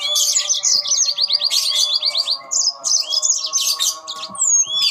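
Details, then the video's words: Several yellow-fronted canaries singing back and forth with fast, high chattering trills, clipped repeated notes and a few long upward whistles, nearly continuous above a constant low electrical-sounding hum. "burung mozambil saut sautan"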